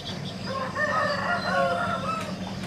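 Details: On the morning of 2 July 2016, among morning birdsong, a rooster gives one long, hoarse crow of about two seconds, rising then wavering down, over a low steady hum with faint bird calls behind.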